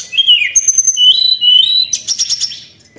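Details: White-browed shortwing (tledekan) song used to lure birds: slurred descending note, long high thin whistles, then a quick burst of sharp high chips.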